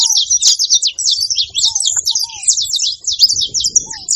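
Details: Noisy gathering of saffron finches: continuous high, overlapping chips and trills, with a few lower curved whistles and faint low sounds near the end.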